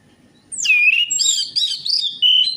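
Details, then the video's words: A bright, continuous warble from an orange-headed thrush, used as a singing lure: a swooping downward whistle, then varied twittering notes and a sustained clear whistle at the end. "DENGAN PANCINGAN ANIS MERAH AMPUH INI, ATASI SUSAH BUNYI ANIS MERAH"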